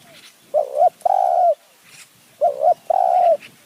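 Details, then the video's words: Spotted dove calling in the high forest of Kanchanaburi, Thailand, while wild doves are lured with a decoy bird, in the calling style known as "khu ang, nun ang". Two phrases, each a short wavering coo followed by a longer, steady, mellow coo. "คูอ่าง หนุนอ่าง คารมเรียกคําคูคํา"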